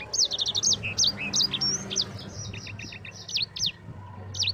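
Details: Yellow-fronted canary singing its long rolling song for tutoring other birds. It opens with a quick run of repeated high slurred notes, then sweet whistles and stuttering chirps, against low hum.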